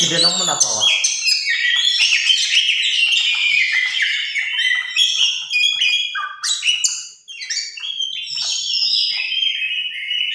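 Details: A tame oriental magpie-robin pours out a long, varied song of whistles, trills and harsh squeaky notes in quick succession, after a brief low, rough sound at the very start; a short pause midway.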